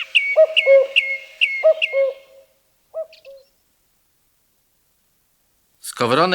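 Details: Common Cuckoo in a forest of Wielkopolska National Park giving two paired, falling 'cu-coo' notes, then a single note. Song thrush whistles run above the first notes. Silence follows, then a man begins speaking at the end.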